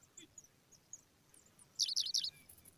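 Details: Pipit nestlings being regularly fed by an adult give a quick burst of four shrill, high, squeaky begging notes near the end, after a few faint scattered chirps.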